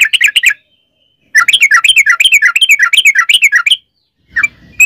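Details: Yellow-vented bulbul in rapid long-rolling song, used as a lure to get other birds singing: a fast run of bubbly, chattering notes, then a burst of dense warbling after a pause, and a brief note at the end.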